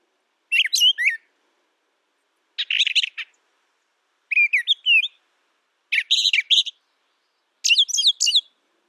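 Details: Brown thrasher singing: five separate bursts of varied, tumbling, buzzy-whistled phrases, each under a second long, spaced by pauses of roughly a second. No other sounds.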